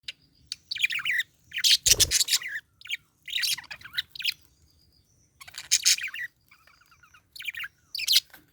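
A budgerigar chatters in scratchy, high bursts broken by sharp clicks and thin whistles.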